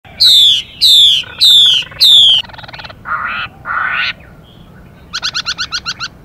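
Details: Chinese hwamei pair, female calling to rouse the male: four loud harsh downslurred notes about a second apart, then softer buzzy bursts, a brief pause and a quick run of seven short rattling notes.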